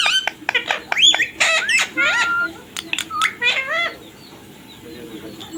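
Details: Pet ringneck parrot giving a fast run of clipped, strained squawks and clicks, then falling quiet for the last second and a half.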